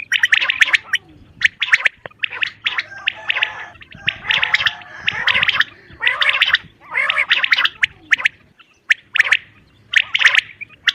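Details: Common quail (Coturnix coturnix), possibly a female, calling in harsh, gurgling half-second bursts repeated every second or so with short pauses over a low hum.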